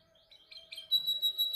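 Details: Male canary singing during song training: thin notes gather into a bright, sustained high whistled tone in the second half, over a steady low hum.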